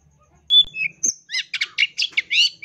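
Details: Long-tailed shrike song in the full isian tembakan style, a rich filled-in song: one pure whistled note, then a run of harsh, buzzy, chattering bursts repeated about every quarter second.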